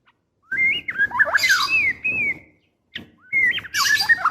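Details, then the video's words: Female white-rumped shama in breeding condition calling to a male, giving rich varied whistles that rise and fall in quick phrases, two bursts separated by a short pause. "Suara Murai Betina Gacor Memanggil Jantan"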